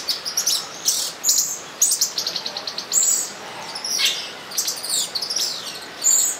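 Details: Olive-green tanagers during mating in São Bento do Sul, Brazil: a dense stream of high, thin chirps and sharp tweets, overlapping and rapidly repeated, with a faint steady tone underneath.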